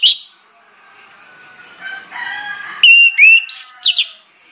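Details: ['Orange-headed thrush lure song: soft background calls, then a brief loud flourish of three or four sharp, rising whistles.']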